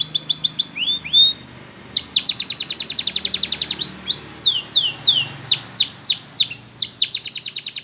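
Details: Belgian canary song for teaching young canaries: a fast trill, short whistles, a long machine-like roll of rapid identical notes, then loud down-swooping notes and a final trill.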